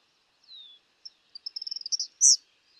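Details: Eastern kingbird: a thin high drawn note, then sputtery high notes that quicken into a rapid stuttering series, ending in a single loud buzzy zeer. Quiet background.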